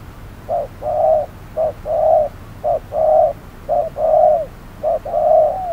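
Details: Trapping decoy spotted dove calling in midday heat: evenly spaced cooing, five pairs of a short coo followed by a fuller, longer one, the last drawn out and falling, repeated roughly once a second.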